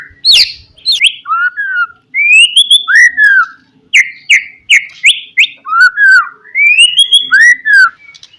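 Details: White-rumped shama delivering a rival-provoking Pastol song: clear sweeping whistles, rising and falling, repeated in short phrases roughly every half second, each topped by sharp ticking notes.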